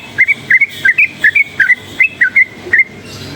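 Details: Yellow-vented bulbul stirred up by surrounding noise, a forest-type bird in full voice, gives quick liquid whistled notes, rising and dipping, in a steady run of about eleven phrases over a low background hum.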